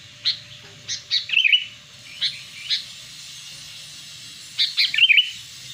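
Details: Sooty-headed bulbul calling as a lure for wild birds: scattered short chirps followed by a quick warbled whistle, repeated after a pause, with steady low hum in the background.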